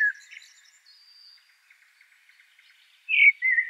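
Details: A Common Blackbird (Turdus merula) sings a few mellow, fluted whistles, with a loud rich phrase near the end and a quiet pause between, amid faint high twittering notes.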